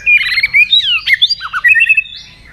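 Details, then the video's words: White-rumped shama delivering a fast lure phrase for stalled caged birds: quick warbling runs, sliding whistles, a pair of low dipping notes, then a short trill fading into a thin high whistle. "pancingan murai batu gacor bikin yang lain DOWN!!pancingan burung murai batu nyaut"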